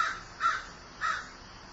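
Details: A grieving crow utters three brief, raspy caws spaced about half a second apart, with quiet background hiss between them.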